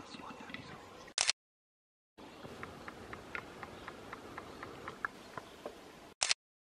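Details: Western capercaillie in Belarus: a steady series of dry, sharp clicks, about four per second, after a short burst of human voice at the start. Two loud bangs interrupt the recording.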